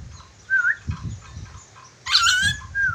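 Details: Whistling ornate lorikeet of Sulawesi: a smooth rising whistle, then a harsh burst overlaid with a long level whistle and a final short whistle, with low thumping noise underneath.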